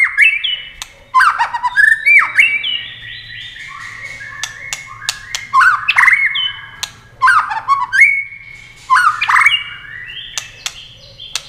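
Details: White-rumped shama in competitive singing, with continuous wing flashes and tail flicks; repeated loud phrases of tumbling whistles, each ending in a held clear tone, separated by crisp clicks about every two seconds.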